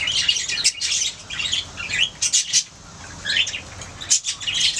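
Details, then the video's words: Budgerigars singing and chirping, a pet flock's scratchy warbled phrases and sharp chirps coming in uneven bursts, briefly quieter near the middle. "Budgies singing making sounds chirping"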